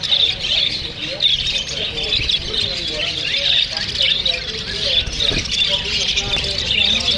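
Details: Australian parrots chirping to each other: a dense, continuous mass of high, overlapping chirps and squawks from many birds, with a faint low rumble underneath.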